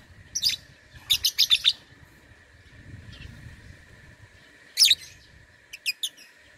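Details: Lovebird entered in an online singing contest, from Singkawang, West Kalimantan, Indonesia: short bursts of shrill, high chattering chirps, a quick cluster near the start and more later, separated by quiet gaps over a steady electrical hum.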